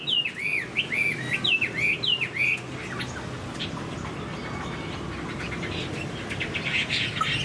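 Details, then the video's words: Caged Chinese hwamei in moult, a large bird, singing: a run of loud whistled notes, each dipping then rising sharply, repeated quickly for about two and a half seconds, then fading into faint scattered chirps over steady background noise. "Chim họa mi đang thay lông, bộ to đẹp, hót cao cầu"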